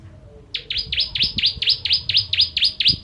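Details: Bar-winged prinia (ciblek kristal) in 'tembakan pedas' rapid-fire song, a master recording for training birds: after a brief silence, about eleven high, piercing V-shaped chirps follow each other quickly and evenly, with faint low knocks underneath.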